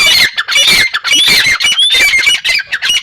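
A partridge gives loud, harsh, shrill squawking notes in rapid bursts, almost two a second, with nothing else clearly heard.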